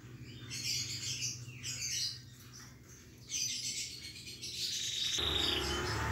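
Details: Moulting canary with ragged, messy feathers, pushed to sing in full: high twittering and warbled phrases come in bursts, with a pause near the middle and a steady low hum beneath, louder rumbling noise toward the end.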